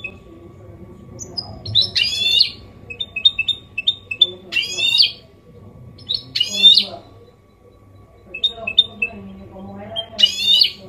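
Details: Goldfinch hybrid (mule) singing clean Málaga copy style song: four harsh, buzzy rasping notes spaced about two seconds apart, linked by short runs of high, tinkling chirps.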